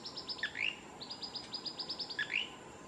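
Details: Male Blue-crowned Manakin singing in the Osa region of Costa Rica on March 7, 2019: two runs of quick high repeated notes, each closing with a lower swooping buzzy phrase, over steady forest hum.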